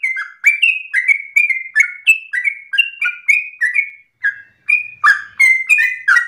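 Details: Persistent long-breathed song of a yellow-vented bulbul, used as a model for other birds to learn: quick whistled phrases at roughly three per second, alternating higher and lower notes, with one brief gap midway.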